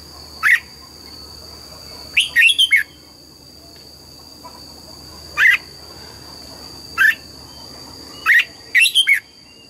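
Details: A red-whiskered bulbul sings its forest double-note song in the morning: six bursts of clear whistles at irregular gaps, some single, two as rapid triple-note runs, over a faint steady whine.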